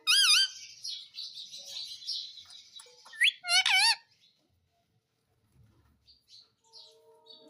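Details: Indian ringneck parrot giving a loud wavering squawk, a soft chattering stretch, then a sharp rising note and another harsh, wobbling squawk before near silence with faint low hum.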